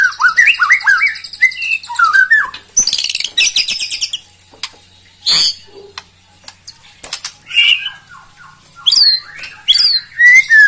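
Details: White-rumped shama (murai batu) song used to rile rival birds into full singing. Buzzy high trills and rasping bursts open the clip, followed by scattered clicks, quick chattering notes and bright whistled slurs near the end.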